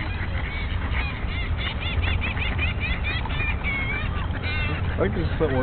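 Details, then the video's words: Ducks in a fight, spring 2009, a female among them: a rapid series of nasal, honking calls repeated about every quarter second, then scattered squawks, over a constant low rumble of wind or camera noise. "70 Seconds of Duck fight"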